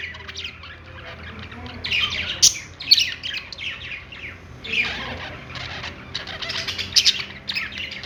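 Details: Budgies singing while perched: quiet start, then bursts of raspy warbling and sharp squeaks from around two seconds on, irregular and busy, with a faint low hum.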